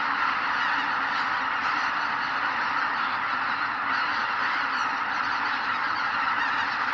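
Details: Wild greater white-fronted geese departing their marsh roost at sunrise, Kabukuri-numa, Miyagi, Japan, wings thundering like an earth tremor. Unbroken mass of overlapping honking calls with a rushing background roar throughout.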